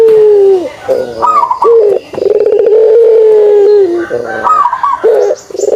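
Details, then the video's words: Kugeruk of a pelung dove: a low coo, then a higher trilled note leading into a long steady coo of nearly two seconds, the phrase beginning again near the end. "suara kugeruk burung puter pelung"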